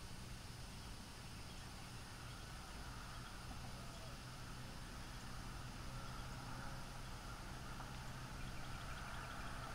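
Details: Steady low rumble of passing traffic fills the whole recording, with broad hiss and no calls standing out.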